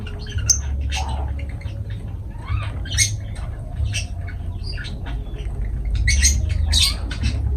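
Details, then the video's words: Lovebirds, a kind of parrot, giving sharp, shrill squawks and short chirps in irregular clustered bursts, roughly two per second, louder toward the end, over a steady low droning hum. "Love birds voice sound"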